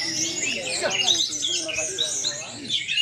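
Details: A competition orange-headed thrush at a songbird contest on a field in Ciamis pours out a dense, rapid, long-sustained stream of high whistles, trills and mimicked chirps, with a low murmur of voices underneath.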